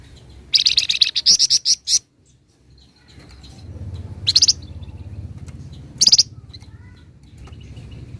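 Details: Flamboyan in energetic song: a quick stuttering series of buzzy high notes, then two brief harsh bursts, with faint whistles and a low hum in the background.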